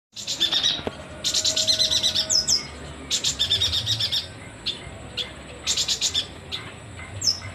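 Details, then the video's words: A yuhina in full, active song gives bursts of rapid, high, twittering chirps, each about a second long, broken by short pauses, over soft background hiss. "Burung yuhina gacor"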